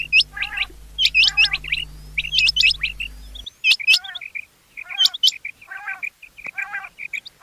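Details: Several rain quail give high metallic doubled 'whit-whit' notes in rapid overlapping bursts, with buzzy chirps in between. A steady low hum runs through the first half, then only the calls remain.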